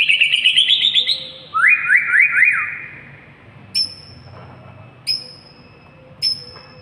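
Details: White-rumped shama song with a fast high trill, a bouncing run of looping whistled notes, then brief piercing high whistles at intervals of about a second and a half.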